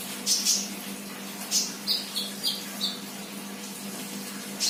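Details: Untrained young sunbird singing actively: sparse, very high thin chirps and short whistled notes, some in quick pairs, scattered over a few seconds above a steady low electrical hum.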